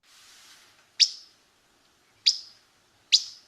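Least Flycatcher giving three sharp, dry "whit" call notes, high and abrupt, spaced about a second apart, after a faint hiss.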